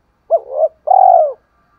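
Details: A decoy spotted dove coos to attract wild doves in the morning: a brief rising-and-falling double note, then a sustained, throaty, slightly descending coo, all in a clean, quiet setting.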